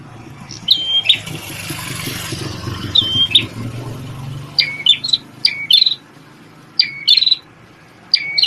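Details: Red-headed prenjak tamu prinia, a champion singer once used as a shama tutor, sings short whistle-and-buzz phrases, at first under loud rumbling vehicle-like noise, then clearer and faster in the second half.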